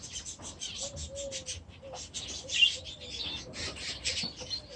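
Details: Young budgerigars, hatched last season and now grown, in their first days after release into a new aviary; soft, fast warbling chirps overlap continuously, with a faint low sliding whistle beneath.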